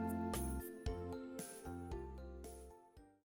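Instrumental music with chiming, bell-like notes over sustained low tones, with no animal sounds.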